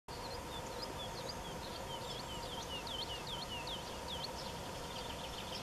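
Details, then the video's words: Woodlark singing on 21 June 2018 in Wendland, Germany, with sparrows chirping: a run of about a dozen sweet, liquid looping notes in quick succession, over a steady rushing background of wind or distant traffic. "Woodlark sings"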